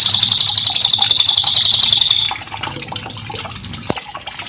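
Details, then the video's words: Lively cililin song used to tutor caged songbirds: a dense, high, pulsing trill of quick repeated notes for about two seconds, then fading to softer scattered chirps over a low background hiss. "cililin gacor cocok untuk masteran"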